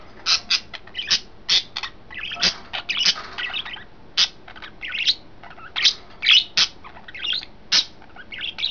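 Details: Three pet budgerigars in a new cage chatter in quick, scratchy chirps and squawks, high-pitched bursts tumbling over one another several times a second, with little else heard.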